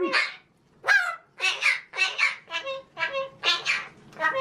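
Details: Male pet magpie talking, imitating human speech: a quick run of about nine short, voice-like harmonic syllables, some rising and some level, separated by brief gaps, with no other sounds.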